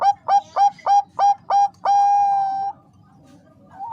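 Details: Female zebra dove (perkutut bangkok) summoning a male to raise breeding urge, with six clipped, evenly spaced coo notes followed by one long sustained coo, then quiet and a faint rising note at the end.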